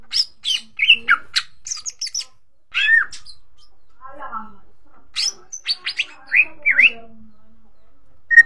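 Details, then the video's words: Greater green leafbird lure song for coaxing other birds into full song: scattered bright whistles and downslurred notes with sharp clicks, broken by a quiet gap, then a renewed burst of quick, varied notes. "Cucak ijo di jamin ikut gacor pancingan cucak ijo"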